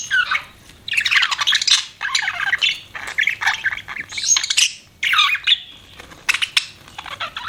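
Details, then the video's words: Several pet budgies chatter in loud, harsh warbled bursts of squawks and chirps, each lasting about a second, separated by brief gaps. "CUTE PET BUDGIES CHIRPING"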